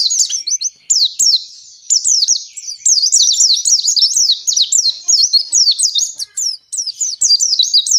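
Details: Oriental white-eye, a captive bird singing a long continuous 'ngalas' song meant to prompt other caged white-eyes to sing: rapid high twittering phrases of sweeping and zigzag notes, nearly unbroken with brief pauses.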